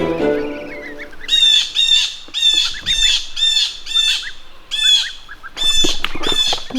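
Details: A Blue Jay, its calls apparently terrifying goslings grazing a farm lawn, gives loud, harsh, nasal jeer calls in quick bursts, roughly two per second, after a brief low murmur at the start.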